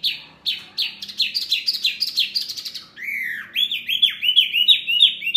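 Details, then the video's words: Mini wambi bird, a noisy caller that provokes other birds, gives a run of sharp, falling chirps, then a short rising slur and a series of clear, high, repeated notes. "SUARA BURUNG WAMBI MINI RIBUT SEKALI,BIKIN EMOSI BURUNG LAIN!"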